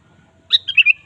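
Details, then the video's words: Sooty-headed bulbul in full, frequent song, meant to coax a caged bulbul into singing. One rapid phrase: a bright opening note, then three quick, liquid, descending whistles ending in a short trailing tone. "pancing suara burung kutilang gacor"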